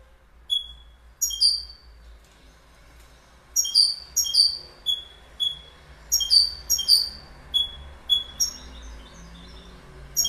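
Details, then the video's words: Goldfinch giving short, bright, falling high call notes, single or in pairs, spaced irregularly about every half second to second, with quiet gaps between. "Goldfinch Bird Sound"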